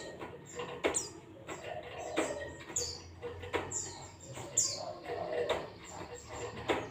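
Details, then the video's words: White-eye with ngalas-style song, played as a lure to make a kept bird sing: very high, downward-swooping whistles repeated roughly every second, alternating with dry clicks and a faint low hum. "zosterops bird sound"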